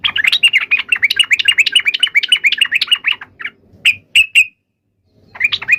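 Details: Yellow-vented bulbul in a heated fighting song to spur other bulbuls into answering: a long, fast chatter of repeated bright notes, then a few isolated sharp chips with silence, and a final quick burst.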